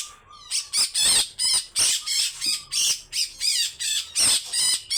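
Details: Grey-cheeked bulbul making coarse, buzzy besetan calls, each burst wavering and repeated in a steady pulse of roughly three per second after a brief quiet start.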